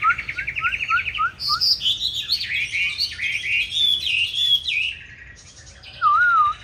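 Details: Fighting song of a green-bean-eyed Chinese hwamei, used to teach other hwamei a smooth song. It opens with a rapid series of short slurred notes, then a rich, varied whistled warble, a brief lull, and one wavering whistle.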